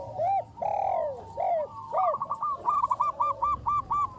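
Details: Zebra doves of the local variety, a champion lure bird with a big voice. Four long, arched, swelling coos open, then a rapid string of short, evenly spaced, bouncing notes follows.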